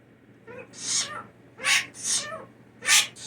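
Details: Hand-raised blue jay kept indoors after falling from its nest as a nestling, imitating a human sneeze: three loud, hissy, breathy bursts about a second apart, each starting with a brief rising catch, in a quiet room.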